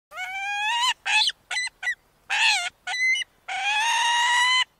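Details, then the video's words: Peregrine falcon calling: harsh, grating, strongly harmonic cries, a long drawn wail, then a run of short clipped notes, then a final long rasping cry, with quiet gaps between. "Peregrine call"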